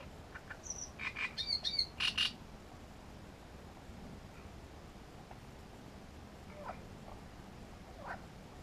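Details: Grachevka great reed warbler song: a loud phrase of rough, croaking notes with buzzy overtones delivered rapidly for about two seconds, followed by near silence with a few faint distant clicks.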